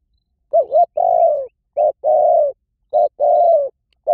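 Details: Spotted dove decoy calling to attract wild doves fast: low coo phrases in quick succession, each a short note, sometimes warbled, then a longer falling coo, three phrases in four seconds.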